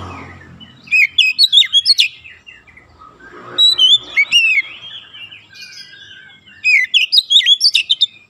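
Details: Oriental magpie-robin training song for young birds, given as three rapid phrases of mixed whistles, slurred notes and high chips, each around a second and a half long, separated by quieter gaps with soft hum.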